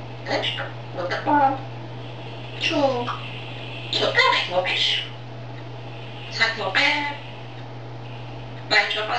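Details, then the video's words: A pet grey parrot talking in Czech indoors: short speech-like syllables with rising and falling tones come in bursts separated by pauses, over a steady low electrical hum. "Mluvící žako ( Talking grey parrot - Czech )"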